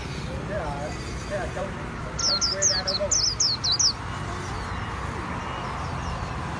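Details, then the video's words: Japanese white-eye singing the Vietnamese líu style, a brief rapid run of about eight high, downslurred whistles, with soft lower chirps and murmuring in the background before and after. "KHUYÊN LÍU HAY NHẤT 2019"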